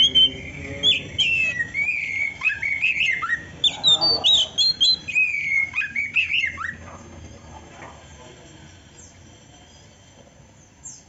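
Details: Oriental magpie-robin delivering canary-like song: a busy stream of chirps, trills and downslurred whistles for about seven seconds, then fading to near quiet with a faint high note at the end.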